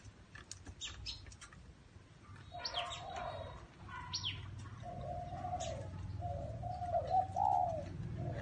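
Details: Spotted dove in a small garden: after a stretch of sharp chirps from other birds, low muffled coos begin midway and repeat in short segments, swelling louder toward the end over a low background rumble.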